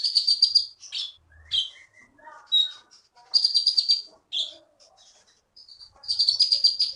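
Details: Wild-caught Bangka songbird, a contest champion in Bangka Belitung, alternates long high buzzy trills with falling whistles and softer low warbling notes.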